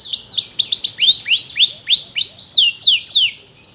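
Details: Canary practising its song while learning: a quick run of high whistles, first rising, then sweeping down, delivered at a brisk, fairly even pace.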